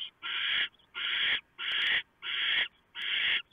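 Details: Predawn barn owl nest, November 2015, owlets being fed a huge mouse torn up by the female; five long, grating hiss-screeches, each near half a second, separated by short pauses.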